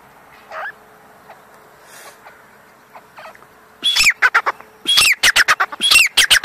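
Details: Grey francolin, a caught young bird: after a few faint notes, loud harsh calls burst in, a rapid run of grating, rising-and-falling syllables repeated in quick bursts with short pauses.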